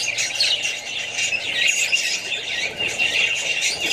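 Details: Budgies from Australia kept alongside other birds and young ones: shrill squeals and chirps overlap in a loud, constant flock babble.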